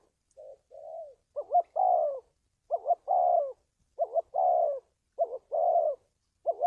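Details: Spotted dove call intended for training decoys and luring wild doves to traps: opens with two soft short coos, then five full phrases of a rapid rising double note and a descending drawn-out coo, closely spaced.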